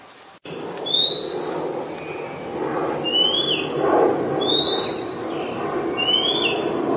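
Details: Oriental magpie-robin singing, Ubon Ratchathani, Thailand, 2 July 2022. After a click at the start come four clean rising whistles, spaced about one to one and a half seconds apart, over a steady low rumble of background noise.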